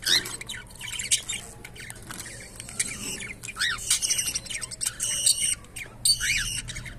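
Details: A pet cockatiel sings a chattering run of squawks, chirps and short rising whistles.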